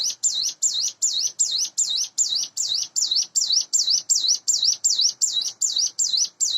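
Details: Roughly eight-month-old hand-raised Sunda bush warbler in captivity, morning: sustained string of about eighteen high, swooping notes repeated evenly, close to three each second.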